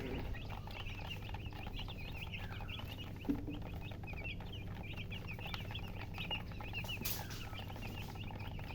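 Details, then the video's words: Newborn chicken chicks chirp loudly in a crowded chorus of brief high peeps, many rising or falling, over a constant low hum, with a faint knock near the middle. "Tot Murgi chicks chirping sounds Just Born Baby Gallina FRACAS Chicks Piar Loudly Sound"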